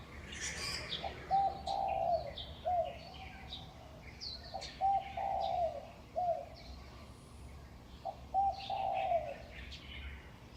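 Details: Birds on utility poles at dawn, about 5:25 am, May 2019, in a Taipei residential community in Taiwan: paired short whistled notes repeated roughly every two seconds, with scattered high chirps from other birds.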